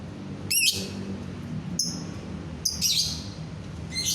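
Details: Lovebird calling to spur other lovebirds into song: sharp, high chirps in short clustered bursts roughly a second apart, with a faint low hum behind.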